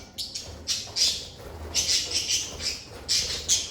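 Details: Pet lovebirds recorded in a stress-free environment, sharp high squawking chirps in uneven clusters over a few seconds, steady low background hum.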